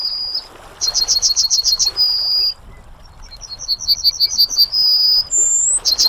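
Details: Yellowhammer singing: two phrases, each a fast run of about eight repeated high notes ending in a long sustained note, then the start of a third run. Quiet background hiss.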